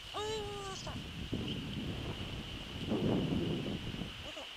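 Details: Eurasian eagle-owl at its nest on a December 2013 evening: one brief, flat, harmonic-rich tonal call at the outset, followed by scuffling and rustling noises under a steady electronic whine.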